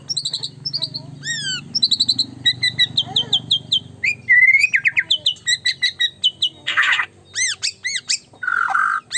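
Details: Caged white-rumped shama, a very vocal singer, delivering rapid repeated high whistles and arched notes, sweeping slurs and trills, ending with harsh buzzy bursts.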